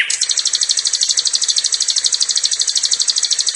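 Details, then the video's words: Olive-backed tailorbird sound used for luring and tutoring: a long, fast, even trill of high buzzy pulses repeated about three times a second, over a background hiss. "mp3 suwara burung komade"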